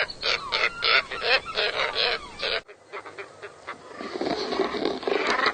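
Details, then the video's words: Scarlet ibis honking in quick, nasal, repeated bursts for the first half. An abrupt cut then leads into a softer, noisier stretch of background sound. "Sounds of scarlet ibis"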